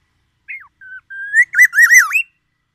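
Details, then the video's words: Whistled phrases from a black-naped oriole of Aceh or Sumatran stock, mimicking the oriental magpie-robin: a short falling note, two level whistles, then a loud wavering rising-and-falling run ending on an upward slur. Background is silent. "Kepodang emas gacor,bongkar isian murai batu"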